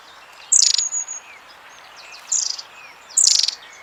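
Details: Long-tailed tit contact call, keeping the group together: three short, very high, buzzy rattling bursts about a second apart, with thin faint notes between.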